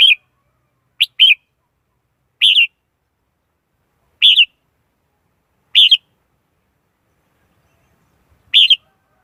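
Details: Red-whiskered bulbul lure song for trapping wild birds, recorded without background noise: six brief, bright, warbled phrases spaced one to two seconds apart, each quickly rising and falling.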